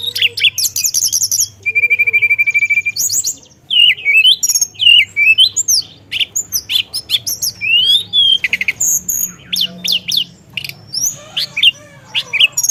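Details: Hill Blue Flycatcher (teledekan) singing vigorously in a rolling, mimicry-filled style: buzzy high trills, a long rattling run of even notes, then quick swooping whistles and sharp chirps in rapid succession, with a low steady hum underneath.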